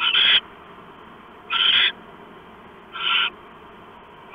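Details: Owl arrives early at its nest one September 2015 evening and eats a rat kept in the pantry; loud, rough hissing screeches come every one and a half seconds against quiet hum.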